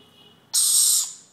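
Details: Green-naped lorikeet chick being hand-fed, giving a single harsh, hissing screech of about half a second, broad and raspy, fading at the end, with a quiet background.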